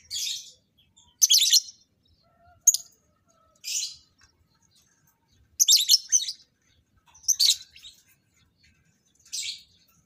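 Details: Lovebirds in a breeding setup, paired for mating: short bursts of sharp, high squeaky chatter about every one to two seconds, with silence between.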